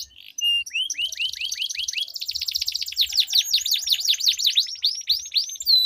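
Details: Canaries dueling with long rolling song, meant as a lure for canaries that will not sing: a series of upslurred chirps, a fast buzzing trill, then rapid repeated V-shaped sweeps.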